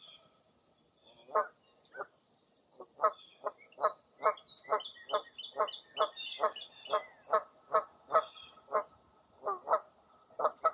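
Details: Wild birds on a foggy early April morning at Mirror Lake State Park in Baraboo, Wisconsin: a mid-pitched, honking note repeats about twice a second. Thin, high chirps from another bird sound above it.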